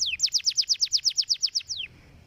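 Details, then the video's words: Canary song phrase for training canaries to sing: a steady series of about thirteen bright, downward-slurred whistled notes, roughly seven each second, ending in a longer falling note before quiet. "Tweet di noce per allenare il suono del materiale canarino"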